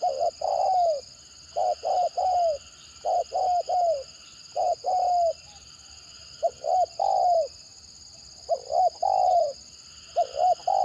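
Spotted dove giving soft, mellow coos in broken, stuttering clusters of two or three notes, with short pauses between bursts.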